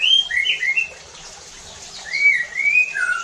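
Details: White-rumped shama song used to provoke other shamas into singing hard: rich whistled phrases sliding between about 2 and 3k, a pause, then long rising and falling whistles.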